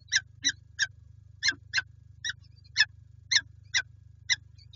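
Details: Grating, repeated cries from peregrine falcons at PGE in Lublin, Poland, 5 April 2020: about a dozen short harsh notes, irregularly spaced and often in pairs, over a steady low electrical drone.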